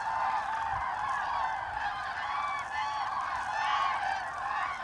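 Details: Flock of common cranes during autumn migration, recorded 25 October 2021. Many birds give rolling, bugling calls in a thick unbroken chorus, with some clearer single trumpets rising above it now and then.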